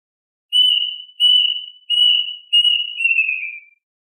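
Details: Plaintive cuckoo calling its flock: five clear, high whistled notes at a steady pitch, each starting strong then fading. The last note is longer and slides downward. The series lasts about three seconds against a silent background.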